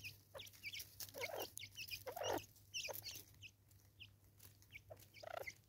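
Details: Natal spurfowl in South Africa, 2024, giving its raucous call as harsh, grating cackles in irregular bursts about a second apart, with thin high chirps from smaller birds and a steady low hum behind.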